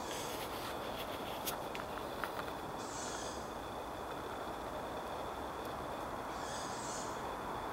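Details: Two young tawny owls in Reservoir Wood, Wanstead Park, just after 10pm, give two high, wheezy hissing calls about three and a half seconds apart, each lasting under a second, over a steady background hiss.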